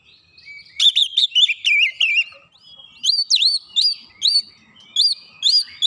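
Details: Kacer (Oriental magpie-robin) 'nembak rapat' master song. A fast warbled run of whistles is followed by evenly spaced, rising looped whistles about every half second.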